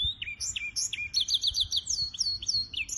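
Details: On 23 April 2023 a hybrid finch sings lively, varied phrases: quick downslurred chirps, a rapid trill of repeated notes and high sliding whistles, continuous and loud.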